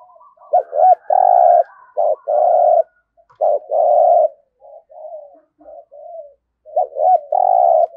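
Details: Decoy spotted dove with a deep 'giọng thổ' voice, giving a run of quick clipped notes and long sustained coos, with some softer trailing coos in the middle before a final loud phrase.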